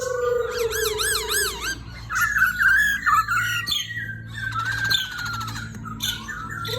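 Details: Black-throated laughingthrush in full, lively song: rapid looping whistles and sweeping warbled phrases, some rising and falling in waves, varied notes throughout, over a steady low hum.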